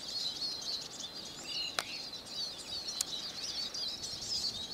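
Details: Rapid, high-pitched twittering song of a Eurasian siskin, with chattering notes and buzzy trills run together, broken by two sharp clicks partway through.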